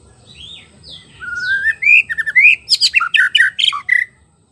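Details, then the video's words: White-rumped shama song, used as a lure to get a silent bird singing: varied clear whistles and slurred notes give way to a fast run of loud, sharp, rising chips, about two per second, ending on a whistled note. "PANCINGAN MURAI BATU MACET BUNYI PANCING DGN SUARA MURAI BATU ASLI"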